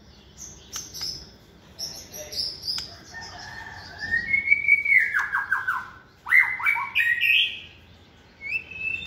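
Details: White-rumped shama kept in a cage and trained for competition singing, second season, opens with high thin notes, then a loud rising whistle and fast descending ripples, followed by further bright whistled phrases.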